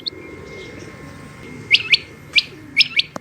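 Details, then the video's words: Female rain quail giving bright, quick upward chirps in two pairs after a quiet start, with a low murmur of background noise. "Rain Quail Calling Hd |Batair Ki Awaz |Female Quail Calling Batair Ki Awaz"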